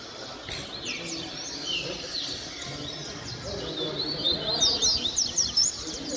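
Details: Several caged male Double-collared seedeaters sing together in a dense, overlapping chorus of quick, high twittering phrases and chirps, while a man talks in the background.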